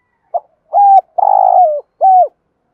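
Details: Spotted dove decoy cooing in the morning to attract wild birds. A four-part phrase: a short pip, a steady coo, a long trembling coo that sinks at its tail, and an arched final note. The background is quiet.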